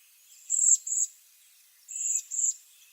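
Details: Waxwing calling with two pairs of very high, buzzy, trilled notes, each pair about a second apart, fairly quiet.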